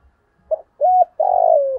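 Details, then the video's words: Spotted dove acting as a decoy to draw wild doves into a fight, 'giọng thổ' voice style. A brief note, then a steady ringing coo and a long buzzy coo that slowly drops in pitch. "Chim Cu Mồi Thúc Đấu Bổi Rừng Nghe Cương Lên Và Về Cội"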